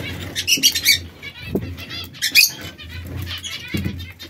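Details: Caged canaries, three birds of red, yellow and brown plumage, which now and then squabble. Clusters of bright, quick chirps are broken by louder flapping bursts against a low background hum.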